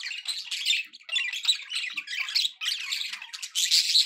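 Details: Happy budgerigar chatter: a loud, steady flow of scratchy warbling and shrill squeaky notes, running almost without a break, with a short gap about two-thirds through.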